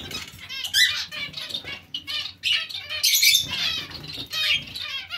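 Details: Busy zebra finch colony alongside Bengalese finches, with a steady stream of overlapping nasal beeps and high twittering notes, plus occasional wing flaps.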